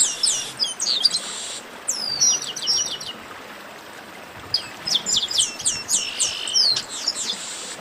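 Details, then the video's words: Chestnut-capped blackbird singing in bursts of high, sharp chirps, quick upslurred notes and buzzy trills, with a quiet gap mid-clip before a dense chattering phrase resumes and runs to the end. "Baderna de Garibaldi"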